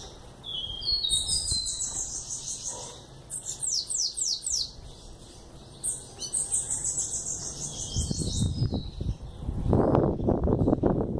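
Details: An eleven-month-old young bananaquit sings repeated phrases of fast, high, buzzy down-slurred notes, several bursts with short pauses, before loud low noises take over at the end.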